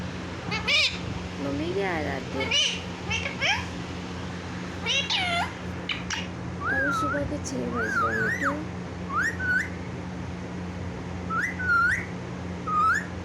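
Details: Pet parrot talking in a clear voice, said to call "mummy mummy"; a busy run of rising-and-falling whistled phrases and harsh chattering notes, some repeated in pairs, with a constant low hum in the room.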